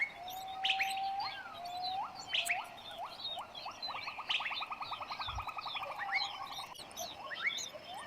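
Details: Long-tailed shrike in West Java feeding six chicks; rapid trains of short high chirps run in quick series, with a long thin whistle at the start and various other bird notes around.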